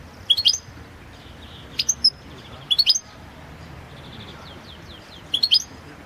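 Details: Competition singing by a European goldfinch (subspecies balcanica), entered in the 2022 Goldfinch Song World Championship held online: four brief clusters of bright, sharp, high chirps spaced irregularly over several seconds, with faint softer twitters between.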